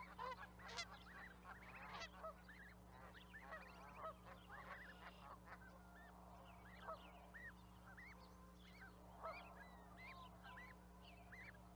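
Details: Canada geese calling as a group: a loud burst of overlapping honks at the start, then scattered fainter honks and clucks continuing in the background.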